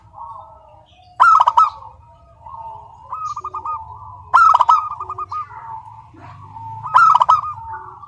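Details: Local zebra dove in vigorous, crystal-voiced song without pause: mid-pitched stuttering runs of quick notes, broken about every three seconds by a loud, rich burst, over a faint low hum.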